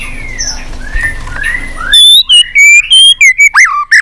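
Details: White-rumped shama singing tirelessly and continuously, flicking its tail on the perch, in a song of many unusual voices. After a faint hissy start comes a loud run of clear whistled notes, some rising and some dropping, separated by short gaps.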